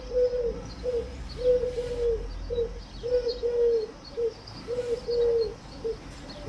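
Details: Pigeon giving steady low cooing, short rounded notes in pairs and threes, repeating a little more than once every two seconds.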